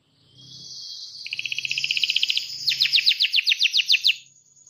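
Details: Canary song of a sustained high tone that breaks into a fast buzzy trill and then slower, louder repeated notes, with a faint low hum beneath.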